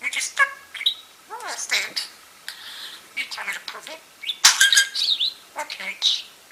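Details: Shoulder-perched pet budgie talking non-stop as its owner sorts tumbled peridot gemstones: harsh squawky chatter, downward-sweeping notes and grating bursts, with clicking of stones.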